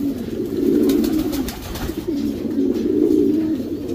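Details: Two sustained, low rolling coos from Racing Homer pigeons kept in a breeding section, each lasting around one to one and a half seconds, with a short pause and soft clicks between them.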